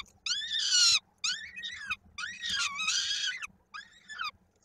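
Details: Feeding at a peregrine falcon nest, Koszalin, Poland, 16 May 2022, a chick's foot trapped in a beak: two long, loud, arched screams, each followed by shorter falling cries, then a final brief wail.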